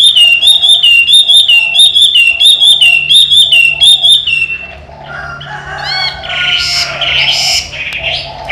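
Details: Chinese hwamei, a trained caged bird that flies out when its door is opened and comes back to its cage, singing: a loud whistled phrase repeated about every 0.7 seconds for four seconds, then varied rising and sliding whistles.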